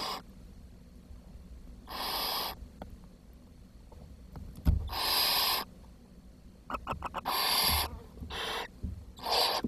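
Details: Nestling barn owls, short of food, 10 June 2023: five rasping hisses, each under a second, arriving irregularly in the second half, with a thud and soft clicks in between.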